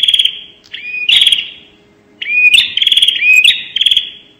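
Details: Bar-winged prinia lure call, called prenjak nembak: bursts of sharp chirps with a short rising whistle, then a buzzy trill near two to four kilohertz, in two bouts separated by a pause.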